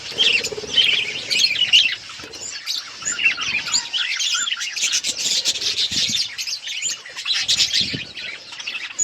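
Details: Budgerigars chirping while eating food: dense, continuous high chatter of overlapping warbles and chirps from several birds, with soft rustling and pecking sounds underneath.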